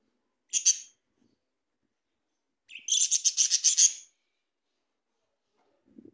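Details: Talking Australian parrots as pets: one sharp chirp, then after a pause a rapid chattering run of about a dozen harsh buzzy pulses lasting over a second, ending in quiet with a faint low sound.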